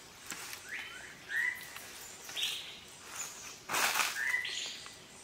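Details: Malabar grey hornbill from Kerala calling in brief rising squawky notes, about four across a few seconds, plus a burst of wing flapping or rustle near the middle and light background hiss.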